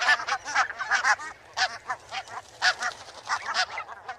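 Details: Barnacle geese call in a busy flock: quick, high, barking yelps about twice per second, overlapping into a restless clamour with no other sounds.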